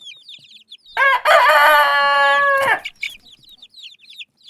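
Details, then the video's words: Rooster giving one long, loud, harmonic crow lasting about a second and a half, framed by short, high, repeated clucking or peeping notes from the flock before and after. "Som de galo cantando e galinha cacarejando"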